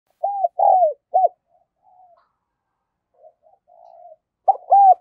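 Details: Caged decoy spotted dove in the 'giọng đồng son' voice style, calling to lure wild doves: three arched, mellow coos, a pause with soft murmured notes, then two more coos close together.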